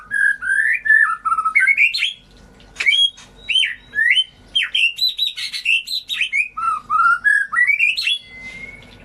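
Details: White-rumped shama song meant to coax birds that stopped singing: loud phrases of rising whistles and sharp chips, a brief pause, then a dense burst of varied fluty notes and ticks ending in a thin whistle.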